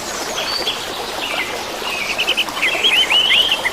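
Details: Orange-headed thrush song for therapy of caged birds that stopped singing: soft notes building into a run of rapid twittering, warbled whistles against a rushing water background.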